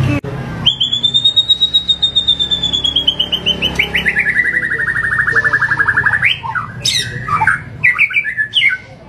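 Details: White-rumped shama giving a long, rapid trilled phrase that rises and then slowly falls in pitch over several seconds, followed by sharp varied whistles, part of a harsh, varied full song.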